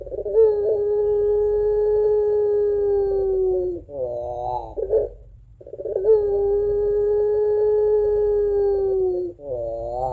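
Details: Barbary dove giving a long 'crying' song with a two-note coo, kept at home and used as a lure for other doves: a drawn-out steady low coo lasting about three seconds, then a short wavering double note, repeated twice.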